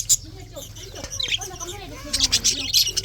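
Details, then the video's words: Budgies chirping in the morning of February 24, 2024, soft low warbles giving way to clusters of sharp, high chirps near the end. "February 24, 2024 Morning 🌄 chirping sounds ! best parrot 🦜 beautiful"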